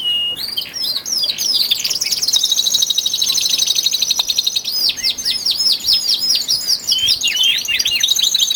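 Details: Caged male canaries, twelve of them, singing harder in early February before spring; a long rapid rattling trill holds steady, then bright looping whistled notes repeat quickly, with overlapping chirps from neighbours.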